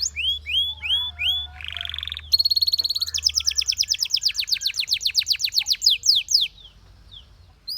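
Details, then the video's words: Belgian canary song made of sections: repeated curved whistles, a rising buzzy note, a brief sharp trill, then a long rapid series of about twenty-five clipped notes slowing toward the end. "The Sound Of The Belgian Canary Tempts Your Canary To Sing"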